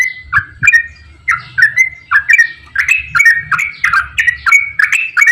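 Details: Straw-headed bulbul singing a long, energetic run of bubbling, fluty phrases, played to stimulate other bulbuls that seldom sing; phrases become faster and denser toward the end, with a soft low hum underneath.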